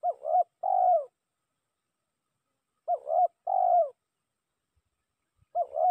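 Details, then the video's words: A spotted dove decoy call meant to lure rivals: low, husky paired coos, each phrase a quick double note repeated about every three seconds against an otherwise quiet background. "Suara pikat tekukur memanggil lawan"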